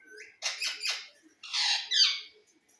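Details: Pet green parrot letting out harsh, noisy screeching squawks in two loud bursts, after a brief whistled note at the start.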